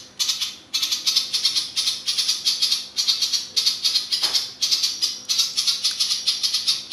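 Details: Long 'ngebren' rattling song of a ciblek papua, used as master song for competition birds: dense, hissing, high buzzy bursts in quick pulsed runs, one after another over several seconds, with a short click near the middle.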